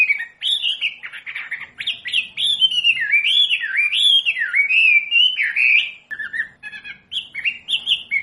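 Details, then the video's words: Wambi singing on a training recording for caged birds: fast, unbroken whistled warbling that loops up and down, about four notes a second. A short gap is followed by choppier chirps. "SUARA MASTERAN BURUNG WAMBI"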